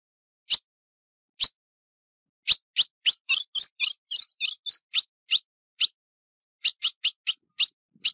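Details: Female ultramarine grosbeak in breeding condition, recorded 15 June 2019, calling and chattering: sharp high chip notes, a few spaced single chips, then a fast run of buzzy doubled chips and further spaced chips. Quiet background, no other sounds.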